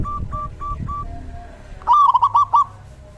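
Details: Zebra dove heard in the rainy season as a therapy sound: faint, evenly spaced soft notes at first, then a loud brief burst of five quick rolling coo notes.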